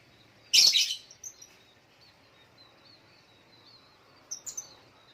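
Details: A little spiderhunter in the morning gives one loud, abrupt, high squeaky note, followed much later by a short pair of softer chirps, over faint background twittering.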